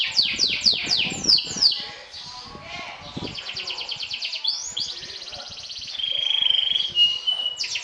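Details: Competition 'sobek' canary singing to provoke rivals: a rapid series of descending whistled sweeps, then dense buzzy trilling, a long steady whistled note, and more trills, over faint low background noise.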